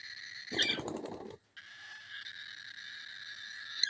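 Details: Young cockatiel chick producing a continuous hoarse, rasping drone for over two seconds. It follows a loud, noisy burst at the start and a short silent gap.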